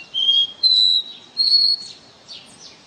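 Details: Caboclinho seedeater singing the pure "ré mi" style song: three long, clear whistled notes stepping upward in pitch, each held about half a second, followed by softer, fainter slurred notes.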